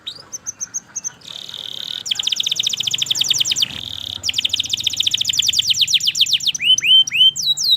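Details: Domestic canary in long, steady song: a short chirped series, then fast buzzy trills of rapid repeated notes, broken by a brief pause, ending in sweeping upslurred whistles.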